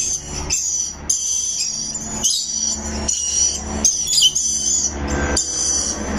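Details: Rainbow lorikeet parrot chirping, high raspy screeches in repeated bursts roughly every second, over a steady low background rumble.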